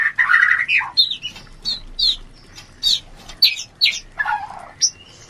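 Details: Shama mating call used as a lure to raise breeding urge: a short warbled opening followed by separate high whistled notes and sharp clicks with brief pauses between them.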